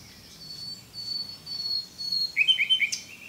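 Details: Common nightingale singing: sustained thin high whistles, then a quick series of loud repeated notes near the end, over quiet rural background.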